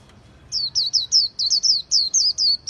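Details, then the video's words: Khuyen bird song: after a brief quiet start, a rapid string of about ten high, bright whistled notes, each sliding downward, repeated briskly. "Khuyen Bird"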